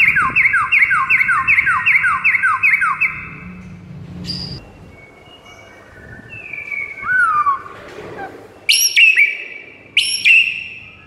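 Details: White-rumped shama morning training song meant to excite a quiet bird: rapid repeated downslurred whistles for three seconds, then a pause and scattered varied whistles, a dropping note and sharp high chips.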